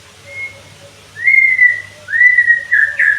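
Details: White-rumped shama whistling in a therapy recording for song training: a faint opening whistle, then two long, steady whistled notes, the second breaking into a quick upturned flourish at the close.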